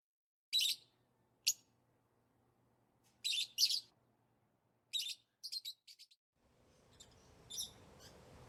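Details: Lovebirds giving excited chirps, the sound of play or feeding: loud, shrill single and doubled chirps, then a quick stuttering series of shorter notes, followed by a rise in broad background noise with faint chirping.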